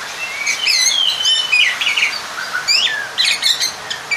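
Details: Rival-calling Oriental magpie-robin song, used to stir other males: a dense stream of high whistles, trills and quick down-slurred notes, fairly loud, with a short quieter gap midway.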